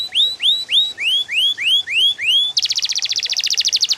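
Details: Yellow canary delivering seven loud, ringing upslurred whistles at a steady pace, followed abruptly by a dense, fast buzzy trill held to the end.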